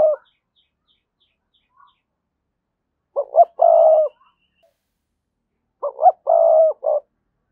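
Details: Decoy coo of a spotted dove, used to make other doves answer: the end of one phrase, then two full phrases about three seconds apart. Each is two quick low notes and a drawn-out throaty coo with a short clipped note after.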